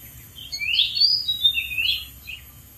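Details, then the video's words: Oriental magpie-robin in the wild, atop a dead tree, pouring out a dense, continuous phrase of rich whistled notes that rise, fall and overlap, over a faint background hum. "KICAU BURUNG KACER DI ALAM LIAR | GACOR DARI ATAS POHON MATI"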